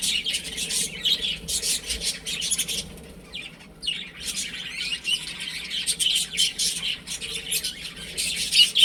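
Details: Several young chickens playing at home, with bursts of high, thin peeping chirps broken by a brief lull midway and some scuffling noises.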